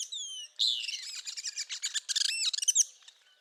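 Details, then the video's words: Northern Parula singing in spring: a few thin, high whistles, then a fast, buzzy run of chipping and trilled notes over about three seconds. "Northern Parula Singing in Spring"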